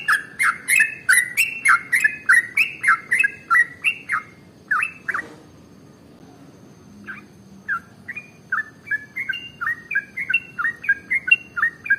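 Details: Sooty-headed bulbul in full voice, giving an extra-long rapid-fire 'ropel' song used to prompt other birds into singing: fast runs of bubbly, slurred notes repeated about three per second, a pause of roughly two seconds, then another quick series.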